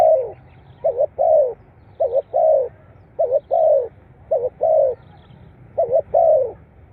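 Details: Repeated coos of a spotted dove, played to stimulate captive birds; five evenly spaced phrases of a clipped double note then a longer descending coo, roughly one phrase every 1.2 seconds, with a soft low hum beneath.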